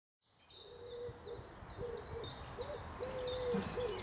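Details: European serin singing in a Berlin graveyard: rapid, very high jingling chirps that build into loud buzzy, sizzling bursts near the end, over soft, repeated low hooting notes from another bird.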